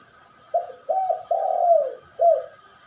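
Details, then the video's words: Dove cooing from a duet lure recording pairing a champion-style puter pelung and spotted dove: four low mellow coos, the third long and gently falling, over a steady high electronic hum. "Duet masteran pancingan burung puter pelung.model suara juara dan Derkuku.bikin tertarik top manjur."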